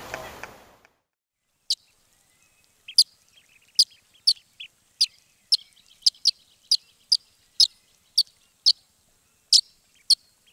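A sandpiper gives sharp, high, thin call notes, repeated about every half second, with faint softer chips between them; otherwise quiet.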